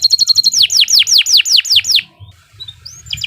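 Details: Long canary song used as a master for other birds: quick repeated pure notes, then loud downward-swept whistles about three per second, a brief quiet gap and a new high phrase.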